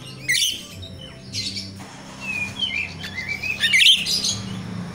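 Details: Jalak rio-rio myna in natural sound, used as a lure for training untrained captive birds: harsh buzzy bursts, then a clear whistle rising in steps, over a steady low hum.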